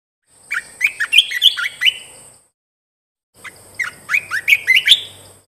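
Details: Caged-bird training song of a bulbul: two bright phrases of rapid, jumping chirps, about six notes each, separated by a second of silence, with a constant thin high tone throughout.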